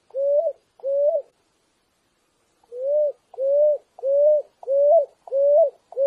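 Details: Song of a picui ground dove, recorded clean with no added effects: low, even coos with a slight upward inflection, two notes, a pause of over a second, then six more in a regular series.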